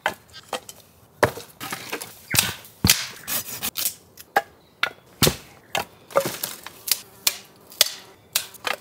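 Sharp wooden knocks and chopping blows strike about once or twice a second, with brief cracking noises and no animal sound.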